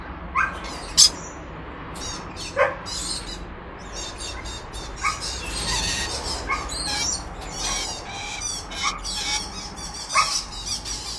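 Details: Weber's lorikeet giving harsh, shrill screeches and squawks at irregular intervals, some loud and piercing, others softer and buzzy, with scattered rustling in between.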